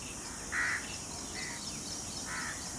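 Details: Peacock outdoors calling: one strong brief nasal note, then two fainter similar notes spaced about a second apart, with constant insect buzz and rural ambience behind.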